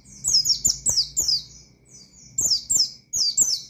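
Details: Rapid, high, slurred whistles from an Oriental white-eye singing 'ngalas' to goad rivals; a cluster of descending notes, a short lull, then further bursts, with soft clicking beneath.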